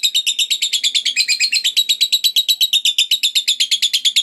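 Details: Long ngekek chatter of a lovebird, the sound said to make other lovebirds answer at once: an unbroken four-second stream of shrill, buzzy, evenly spaced notes, about six per second, with no other sounds.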